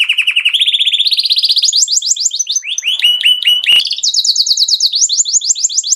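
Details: Excited male canary singing to stimulate other birds: long rapid trills of repeated notes, each run held at one pitch then stepping higher, with buzzy rolling tours and a brief click; very clean, loud recording with no other sounds.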